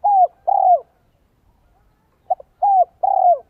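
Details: A spotted dove sings as a decoy for wild doves in the 'giọng son 1 cốt lỡ' style: low mellow coos, a smooth falling note then a vibrating longer one, repeated after a pause with short lead-in notes. Silent background.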